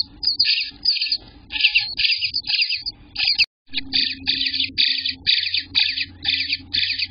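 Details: Eastern bluebird nestlings begging in the nest at 18 days old, June 24th, 2021: high, harsh chattering bursts repeated about twice a second in uneven pulses, with a brief silent gap and low hum.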